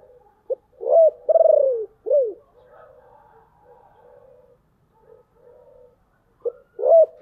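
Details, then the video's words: Deep-voiced decoy spotted dove calling to lure wild birds. One full phrase of arched and long pulsed falling coos, then soft, low murmuring notes, and the coo phrase begins again near the end. "tiếng kêu của chim cu gáy âm thanh rất chuẩn để kích bổi/ Tiếng Chim Cu Mồi Gáy Gọi Ồm Ồm"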